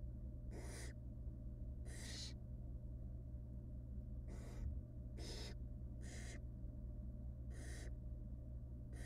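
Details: Hungry barn owl chicks, wild, in a monitored nest box, rasp loudly as their mother tears up a rabbit for them. Broad, noisy snoring hisses come in short bursts about once a second, spaced unevenly, over constant low droning.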